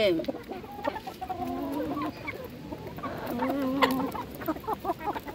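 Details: Hens being fed by their keeper, giving soft repeated clucks and a few drawn-out, wavering calls over constant rustling background noise.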